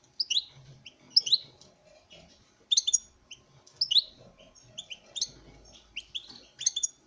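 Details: Male European goldfinch in captive breeding, singing in front of a female: clusters of bright twittering and sliding chirps, grouped in quick bursts, over faint soft low rumbling.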